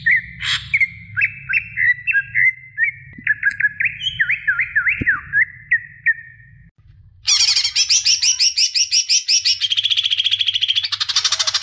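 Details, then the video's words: Female greater green leafbird calling the male: a run of clear whistled notes, wavering and slurred up and down, for about seven seconds, then an abrupt switch to loud, rapid, harsh buzzy notes repeated densely to the end, over a low background hum. "Suara Cucak Ijo Betina Memanggil Jantan"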